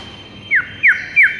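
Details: White-rumped shama in the morning, a training recording for birds: three short downslurred whistled notes spaced about a third of a second apart over a faint steady tone and low hum.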